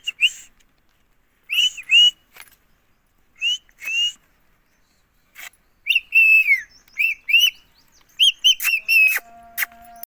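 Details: Pet ring-necked parrot from India talking nonstop, repeatedly saying "mummy": short, clear, whistle-like two-part phrases in bursts separated by pauses, growing quicker and more varied toward the end, with a faint steady hum at the close.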